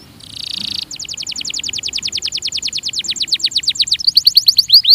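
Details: Belgian canary training song beginning with a buzzy note, followed by a long rapid trill of falling notes that grows louder and ends in bright sharp chips.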